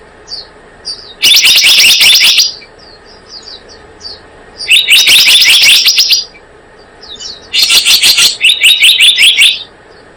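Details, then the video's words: Blue-eared kingfisher trapping lure: three loud bursts of rapid, shrill, high chattering notes, each lasting one to two seconds, spaced by quieter stretches with faint high whistled notes. "Suara pikat burung selendang biru"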